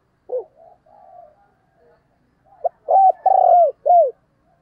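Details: Decoy spotted dove calling to attract wild doves: soft introductory coos, then a loud burst of four arched, hollow cooing notes in quick succession near the end.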